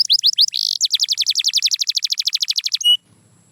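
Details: Canary singing a rapid song: a few high chirps, a brief buzzy note, then a long even trill of fast repeated notes, ending in a sharp whistle. The background is otherwise quiet.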